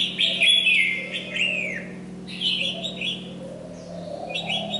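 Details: Decoy Red-whiskered bulbul in molt delivering bright, slurred whistled phrases, first loud and then softer, with a faint low hum throughout.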